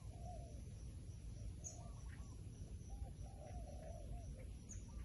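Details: Wild pigeon uttering low, curved coos, one early and a longer cluster later, over a thick low rumble with faint high ticks.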